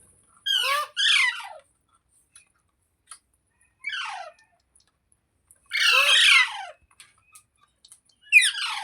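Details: Green parrot, a rose-ringed parakeet, giving harsh descending squawks in paired bursts, then a single call, a longer noisy screech and a final squawk, in a quiet room.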